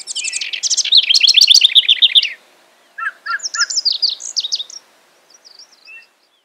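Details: House wren at Hulls Gulch, Boise, Idaho, singing a high, bubbly cascade of rapid trilled notes, followed by a second jumbled phrase and a softer trailing one.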